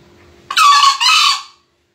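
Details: One loud green junglefowl crow: a harsh, noisy two-part burst lasting about a second, the second half slightly lower and fading out.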